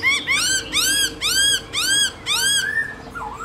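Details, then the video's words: Caged black-throated laughingthrush singing in the forest-voice style: five loud arching notes rise and fall in even bursts about every half second, then a softer falling note. "Khướu Hót giọng rừng NHIỀU GIỌNG HAY"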